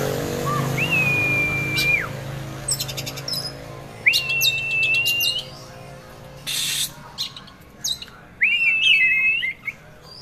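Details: Caged Oriental magpie-robin, a prospective contest bird, giving long drawn-out level whistles that drop sharply at the end, spaced a few seconds apart, with clicks and short rattling bursts between them.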